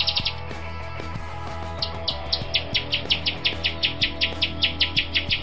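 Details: Grosbeak starling, a Sulawesi bird known as rio-rio and used to train songbirds like the shama: a short buzzy burst, a pause, then a steady run of rasping pulses, about three per second, over background music.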